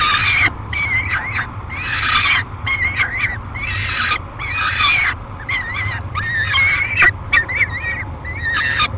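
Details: Peregrine falcon screaming aggressively and noisily during feeding at the Great Spirit Bluff nest box, July 3, 2021: harsh, raspy screeches with a wavering tonal band, given in bursts about every second, over a steady low hum.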